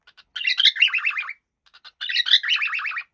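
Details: Two phrases of quick, buzzy warbled chirps from a happy cockatiel, each opening with a brighter rising note, separated by a pause with soft clicks.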